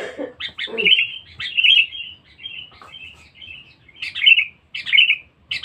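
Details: Sooty-headed bulbul used as a lure bird, noted as vocal and fierce: a run of warbling, gurgling whistled phrases, some long and trailing, with a few low knocking sounds at the start.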